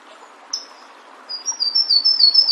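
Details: Flavescent warbler singing in nature: one sharp high note, a pause, then a fast stream of high, slightly descending chips building in loudness, with faint background murmur.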